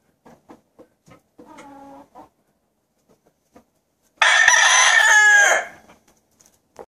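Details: Johnny Jumper Grey rooster crowing once: a loud, harsh, rasping crow lasting about a second and a half, preceded by scattered soft clucks and a short, steady tonal note, with near silence around it.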